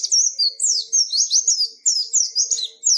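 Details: White-eye singing vigorously in ngalas style: rapid high, thin whistled notes sliding down and up, in quick irregular bursts with short gaps between them.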